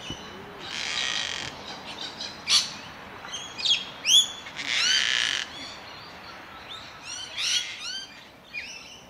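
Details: Male Gang-gang cockatoo calling with the "creaking door" call at a tree hollow in Melbourne, Australia, July 2021: harsh, scratchy rasping bursts mixed with sharp squeaky notes, at moderate distance with light background noise.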